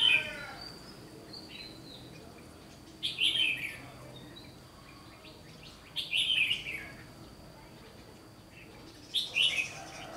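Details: Red-whiskered bulbul singing in competition: three short bright warbled bursts roughly every three seconds, separated by quiet hiss, with a steady faint high tone.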